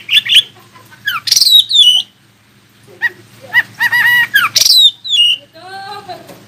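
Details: Varied Oriental magpie-robin song aimed at making other magpie-robins answer: rapid chirps, loud high swooping whistles and buzzy harmonic runs in quick succession, closing with a softer warbled trill, with a low hum throughout.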